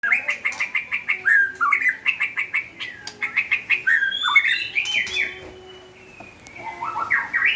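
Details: White-rumped shama singing actively (gacor): a rapid run of repeated whistled notes with sharp clicks, about three per second, then varied rising and falling slurred phrases.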